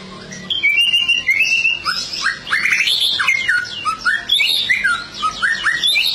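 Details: Murai batu, the white-rumped shama, in full vigorous song: a continuous, rich stream of varied whistles, slurred notes and quick chattering phrases without pause.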